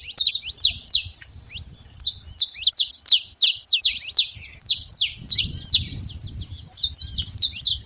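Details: Saffron finch free in the wild, delivering bright, high downslurred chirps in rapid bursts, some notes clustered, others spaced, over a quiet low background.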